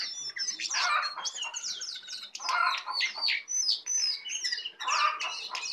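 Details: A tame, very vocal Brown prinia with a full 'isian' song; bursts of rapid, high, slurred chirps come in phrases about a second long, with short gaps between them.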